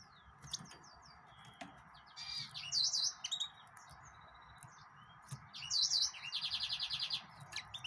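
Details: Yellow-fronted canary singing two bright, high warbled phrases; the second ends in a fast, even trill of repeated notes. A steady mechanical hum runs underneath.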